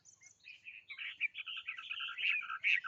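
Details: Rich, fluty bird song with rolling whistled notes, heard against a faint low background rumble.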